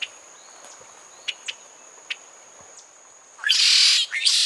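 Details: Red-shouldered blackbird from Cuba: several sharp clicks and chips, then a swelling coarse buzz that breaks and resumes briefly at the end, with a faint high steady tone behind.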